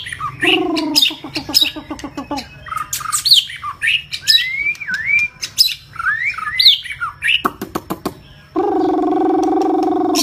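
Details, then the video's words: Long-tailed white-rumped shama from Vietnam, singing persistently and emotionally: rapid ticking clicks, slurred rising and falling whistles, a few harsh rasping notes, ending in a long, loud, buzzy nasal rasp. "MURAI BATU EKOR PANJANG GACOR NGOTOT PENUH EMOSI"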